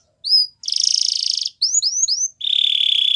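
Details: Song of a Belgian canary: a single high rising whistle, a rolling buzzy trill, three quick upswept whistled notes, then another steady pulsed trill.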